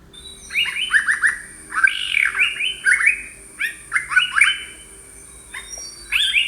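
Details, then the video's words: Yellow-browed bulbul in Sri Lanka giving short, bright chirping notes that bend downward. They come in quick clusters of two to four, with a louder burst near two seconds and steady brief phrases through the rest. "Birds of Sri Lanka - Yellow-browed Bulbul"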